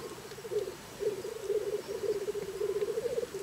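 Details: Black grouse heard on a very cold Scottish morning: a low, rolling, dove-like bubbling in pulsing phrases of about half a second, rising and falling in loudness, with only a quiet background.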